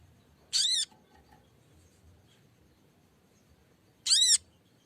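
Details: Lesser green leafbird, green form, used as a lure and calling a rival: two loud, harsh, buzzy notes with arching overtones, about three and a half seconds apart, in quiet surroundings.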